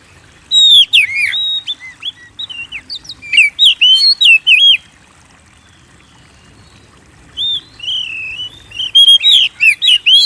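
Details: Lively Oriental magpie-robin song meant to set kept birds singing: loud bursts of slurred, looping whistles and sharp high notes, a calm gap of a few seconds, then renewed wavy whistled phrases.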